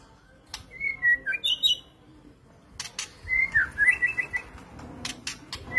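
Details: White-rumped shama singing short bursts of clear whistled notes, some slurred downward, alternating with higher sweet phrases and sharp clicking sounds, separated by a quiet pause before a second run of varied whistles.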